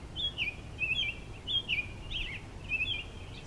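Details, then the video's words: American robin singing from a pine tree branch: clear, liquid whistled phrases in short bursts, some rising, some dropping, separated by brief pauses, with quiet background noise. "American Robin Singing"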